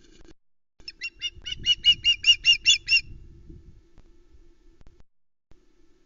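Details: Osprey at a nest in Loch Arkaig, Scotland, 16 August 2020, young bird calling loudly as an adult male delivers a mackerel: a rapid burst of about ten high, sharp chirping notes over two seconds, nest-camera rustling beneath.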